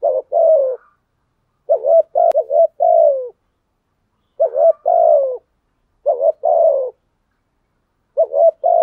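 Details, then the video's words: Lure spotted dove giving its full coo sequence: groups of two or three low rounded notes ending in a longer sliding coo, repeated about every one and a half seconds with short silences between. "chim cu gáy thúc gù bài bản, thúc gù + gáy gọi bài bản giọng hay nhất hiện nay, cu gáy mồi"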